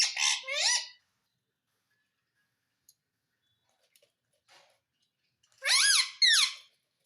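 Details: Parrot that talks and repeats "Mitthu Mitthu" produces two quick harmonic syllables, then a quiet gap with faint ticks. A second pair of rising-falling, voice-like syllables ends the recording.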